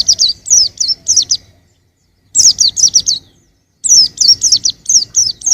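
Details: Young white-eye giving bright, high, down-slurred chirps in three rapid bursts separated by quiet gaps of roughly a second.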